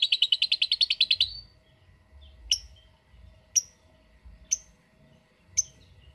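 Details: Lovebird giving a brief 'ngetik' (typing-style) ngekek burst: a fast run of sharp, high chattering pulses lasting about a second, followed by four isolated single chirps spaced roughly a second apart.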